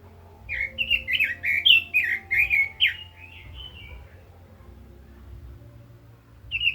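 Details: Red-billed leiothrix singing: a rapid run of about ten loud, warbled, slurred whistled notes over roughly three seconds, a quiet pause, then a fresh phrase beginning; faint low hum underneath.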